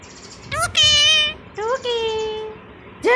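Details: Pet green Indian ringneck parakeet talking on its owner's prompt in a Bangla-speaking home: harsh, nasal, strongly harmonic voiced phrases, a short rising note then a long flat one, with a brief squawk at the end.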